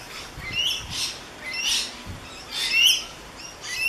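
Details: Gold Coast rainbow lorikeet calls captured on a Canon SX50: grating, high screeches repeated roughly once a second, the strongest burst near the end, with faint low knocks early on.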